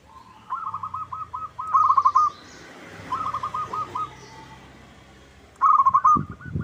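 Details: Local zebra dove lure to make rivals sing back: several stuttering coo phrases, the middle ones softer, over a hissy background, closing with a loud rolling burst and a few low thumps.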